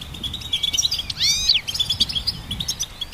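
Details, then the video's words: Goldfinch song: high chattering chirps around a prominent arched, harmonic-rich whistle that swoops up then down, followed by softer twitter and faint low background rumble. "Goldfinch Symphony orchestrated by nature's motivational melodies"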